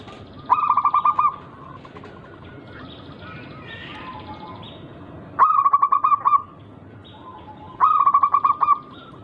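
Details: Local wild zebra dove, rare unique rhythm, played to make rivals sing back quickly: three short bursts of rapid, throaty cooing trills, several seconds apart, with faint background noise and distant chirps between them.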